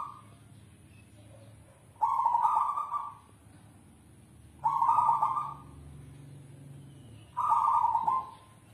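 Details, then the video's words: Kept zebra dove (perkutut), described as endemic to South Sumatra, Indonesia, singing in manggung style: three mellow, rolling coo phrases, each about a second long, repeated roughly every two and a half seconds over a quiet low hum. "Suara perkutut endemik Sumatra Selatan | perkutut manggung"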